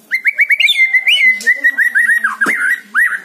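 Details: White-rumped shama song to trigger singing in a lazy bird: a rapid run of short, repeated whistled notes at an even pitch, about ten a second, with a few looping flourishes.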